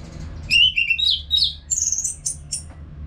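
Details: Short burst from a caged Orange-headed thrush in Singaraja, Bali, used as singing therapy. Fluty whistles climb in pitch to a high sustained note, followed by two short chirps.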